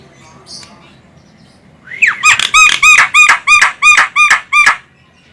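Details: Female Javan myna giving a call used to lure birds: after a short rising note, about nine loud, harsh, nasal squawks come in quick succession over under three seconds, then stop. The background is quiet.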